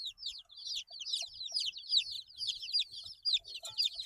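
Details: Group of baby chicks, eight days old, chirping in quick overlapping high-pitched peeps that slide downward, a busy continuous chatter with faint tapping below.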